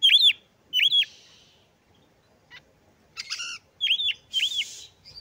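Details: Oriental magpie-robin song with loud arched whistled notes repeated about once a second, a short pause, a harsh stacked note and a noisy rasp between further arched whistles.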